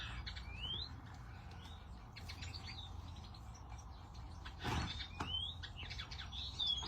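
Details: Goldfinch chatter of loose chirps and rising whistled slurs, broken near the middle by a sharp knock or click, with a constant low rumble underneath.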